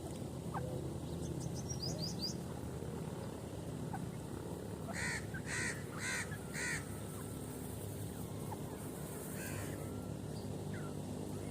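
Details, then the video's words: Male and female grey francolin, known as teetar: a tight series of four loud, harsh, ringing notes, then one fainter note a few seconds later, over a constant low rumble of background noise. "grey francolin Birds sound male and female voice"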